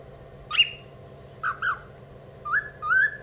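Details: Pet male cockatiel singing a tune he made up himself: a short high whistle, then paired mid whistles, then two rising, sliding whistled notes. A steady low electrical hum runs underneath.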